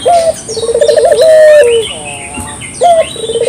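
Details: Local spotted dove cooing clearly for luring: a short high note, a rapid rolling trill, then a long even coo sliding down, and a new phrase starting at the end, faint chirps above.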